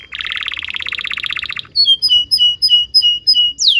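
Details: Canary singing for the training of young canaries: a quick, dense rattling trill, then clear, spaced whistled notes dropping slightly in pitch, repeated about three times a second, ending in a rising sweep.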